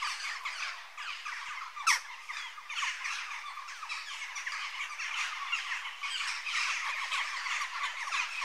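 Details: Western jackdaw calls: a dense chatter of many short, harsh notes blending into a continuous murmur, one sharp louder call near two seconds, the chatter swelling toward the end.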